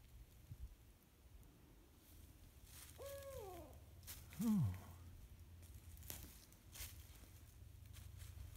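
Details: Wild barred owl in a forest on a spring afternoon, answering a person's gentle hooting: a drawn-out hoot sliding downward at the end, followed by a lower, shorter falling note, over a steady low hum and faint rustling.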